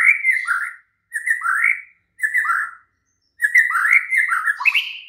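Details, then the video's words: Night song of a White-rumped shama, used as a lure so a kept bird answers and sings: four rich, warbled phrases about a second apart, each with high ticking notes, the last longer and more varied. "Pancingan Murai batu MALAM HARI jadikan NYAUT GACOR dan NGEPLONG"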